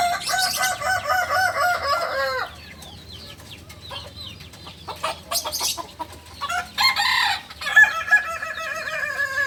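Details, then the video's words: Beginner Kukuak Balenggek cock from Solok, West Sumatra, crows with a rippling, stepped line for over two seconds, goes quiet amid scattered clicks, then begins another wavering crow near the end. "Ayam kukuak balenggek PEMULA ayam asli solok sumbar"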